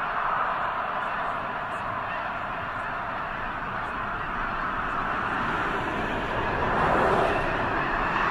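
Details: Massive Snow Goose flock massed at the eastern end of Potholes Reservoir ahead of the northward migration; steady roar of many overlapping honks and yelps, swelling louder near the end, with faint clicks and possible voices underneath.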